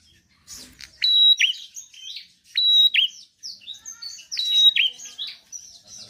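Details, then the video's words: Lively bar-winged prinia song meant to prompt reluctant birds to sing: three strong phrases, each a short steady whistle snapping down into a bright chirp, spaced about one and a half seconds apart with softer twitters between. "Prenjak gacor penarik burung malas bunyi"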